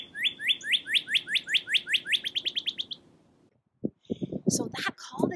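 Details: Northern cardinal heard during a winter walk in snow in Canada, giving a run of about thirteen clear, upslurred whistles that quicken and shorten over three seconds, followed by a person talking.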